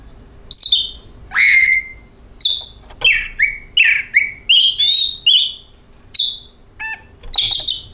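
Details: Oriental magpie-robin song used as a lure to make other birds sing: varied whistled phrases, long slurred notes, short bright chips and buzzy bursts with pauses between, over a faint steady hum.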